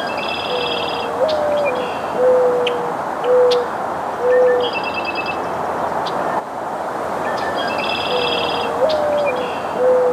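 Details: Mourning Dove in the eastern United States gives its soft, low coo, often mistaken for an owl: a rising first note, then three steady hoots, repeated after a few seconds over faint chattering trills from another bird.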